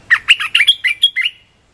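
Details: Red-whiskered bulbul delivering a rapid, chattering phrase of about eight slurred whistled notes in under one and a half seconds. The phrase rises slightly in pitch toward the end before stopping abruptly, with quiet surroundings.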